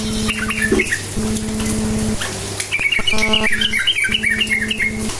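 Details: Chattering yellow-vented bulbul lure song meant to get quiet bulbuls singing: jumbled, fast bubbly notes in two bursts, partly masked by a loud steady low hum and clicking.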